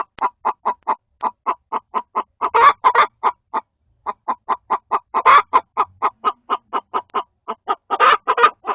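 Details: Agitated hen inside the coop, apparently complaining at a hen laying an egg in the shared nest box; long series of quick clucks with several louder, raspy squawks and brief pauses.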